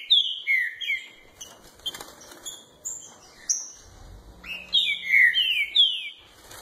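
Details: Captive green-winged saltator, early in the singing season: rich, slurred whistled song phrases, falling then rising, in two loud bursts with a quieter gap; a faint low hum between.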